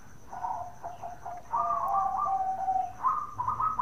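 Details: Softer bekur calling from a local zebra dove, a call used to get other doves to respond. It gives several short purring coo phrases, some trilled, some drawn out, against a faint steady hiss.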